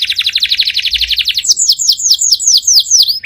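A canary sings a fast, high, buzzy trill of rapid notes, then shifts to a string of sharp, downslurred whistles about five per second.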